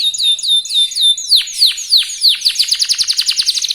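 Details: Active young local canary singing a rapid lure song meant to set other canaries off: slurred whistled notes, then loud downward-swooping notes that quicken into a fast rattling series.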